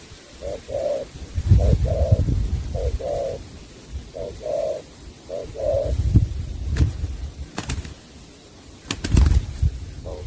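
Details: Singing spotted dove, 'sắm bầu bạch đề' style: four paired coos in the first half, each a short note then a longer one, followed by thumps, clicks and low noise.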